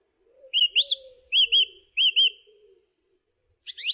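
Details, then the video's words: Song thrush song built from paired whistled notes, each pair repeated three times, the first pair slightly rising; a faint low hum lies beneath and a scratchy high phrase begins at the end. "Song Thrush Singing"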